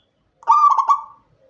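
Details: Zebra dove from Indonesia, local stock, recorded after dark as a singing lure: a single mellow coo with a bubbling, clipped stutter in the middle, followed by a faint thin whistle afterward.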